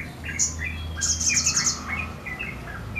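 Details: Sogon giving full sriganti-style song while spreading its wings: varied chirps and a thin whistle around a fast, high, buzzy trill of about ten pulses.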